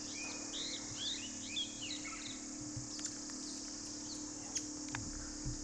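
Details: A rufous sibia in a wild pear tree gives a quick burst of short, curving chirps over the first two seconds, then sparse clicks, over a steady high insect whine.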